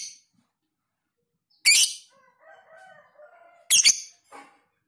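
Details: Lovebird, ngekek panjang style for tutoring: two loud grating shrieks about two seconds apart, with soft, low warbling chatter from a bird between them and a brief quieter note at the end.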